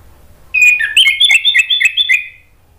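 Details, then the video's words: Orange-headed thrush song meant to set other thrushes singing: a quick run of varied whistled notes and trills, rising and falling in a bright jumble for about two seconds. "bikin ANIS MERAH lain jadi ikut NYAUT NGEPLONG ¦ PANCINGAN AM"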